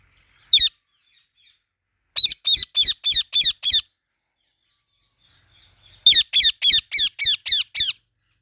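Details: Indian ringneck parrot chirping: loud, harsh, grating notes in quick bursts, first a single note, then a run of six about a quarter second apart, a pause, then a run of seven, over a quiet background.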